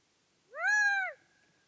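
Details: Gambel's quail call: one clear, plaintive, sustained note lasting about half a second, slightly arched and ending abruptly, in a quiet setting.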